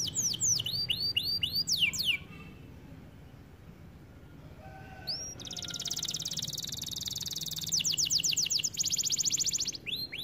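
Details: A white canary sings rising swept whistles repeated quickly, pauses in near quiet, then breaks into a long rapid rattling trill with descending notes, ending in a few more upswept whistles.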